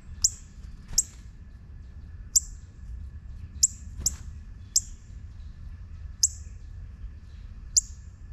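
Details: Juvenile northern cardinal calling steadily with a rapid run of about nine sharp, high, down-slurred chips at uneven intervals over a quiet low background hum.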